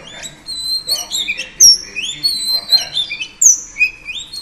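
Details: Female Oriental Magpie Robin sings to rouse males. Varied whistled phrases mix long level tones with short rising and falling slurs, broken by sharp high accents and short gaps.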